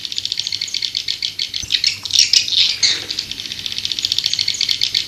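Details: Lure call of white-nest swiftlets to draw the birds in: an even, fast-pulsing buzzy rattle throughout, with a louder twittering surge midway.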